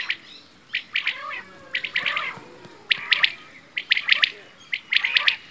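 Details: Quail (bedana, batair) calling in spaced groups of two to four crisp, high chirps, each group separated by roughly a second of near silence.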